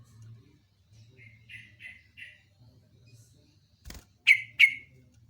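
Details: Yellow-vented bulbul (local name jogjog) singing in long rolling style: several soft, buzzy notes, a sharp click, then two loud, ringing notes that slide downward, with a low droning hum throughout.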